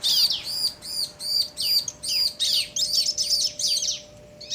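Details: Bar-winged prinia male and female calling in answer, aimed at provoking other prinias; steady high arched notes about two and a half per second, joined by overlapping buzzy sweeps, faint steady tone beneath.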